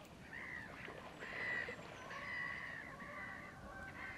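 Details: Common mergansers in early spring at Fyrisån, April 2 2022, a pack of mostly males chasing each other while following a few females in courtship; drawn-out nasal tonal notes, about five in four seconds, over soft water noise.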